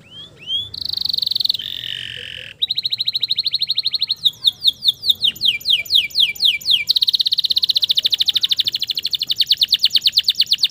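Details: Male canary sings to stimulate stressed canaries: high sweeping whistles and buzzy phrases, a run of loud descending notes, then a long rapid trill of repeated high units.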